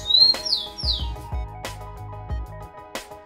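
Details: A pet Rufous-collared Sparrow, kept in an aviary to get in shape after becoming slow and a bit fat, gives three clear, high, downslurred whistles in the first second, over steady background music with low thumps.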